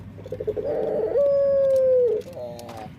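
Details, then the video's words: Male dove with an odd, possibly faulty voice; beating, pulsed cooing builds into a long flat whistled note near one second, ending in a downward slur and a softer trailing tone. "Suara Unik Burung Puter // Unique Sound Singing of dove"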